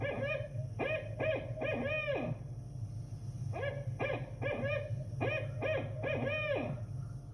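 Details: Barred Owl in the Kejimkujik woods hooting in three phrases of rich, barking hoots, each ending in a drawn-out, downslurred note, in the "who cooks for you" rhythm; its sound is likened to a bird barking.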